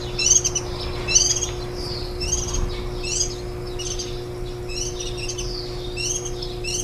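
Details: Warbling white-eyes at the nest on 23 July 2018, ten days into rearing nestlings, the day before they fledged. Rapid high, twittering chirps are repeated in bursts throughout over a faint steady hum.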